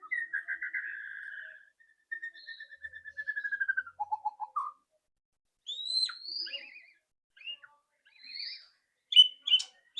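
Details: White-rumped shama, a loud rattling song used to make a bird sing quickly: long trilled whistles sliding downward, a low trill, then scattered sweeping whistles and clicks.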